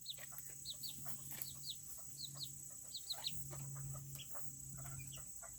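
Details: A group of Serama chickens, a tiny breed, in a coop on a cool day. Thin, high, down-slurred peeps repeat in quick pairs over a low murmur of clucking and a constant background hum.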